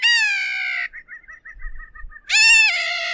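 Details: Bridled tern uttering two long, drawn-out, strained wailing notes with a soft stuttering chatter between them.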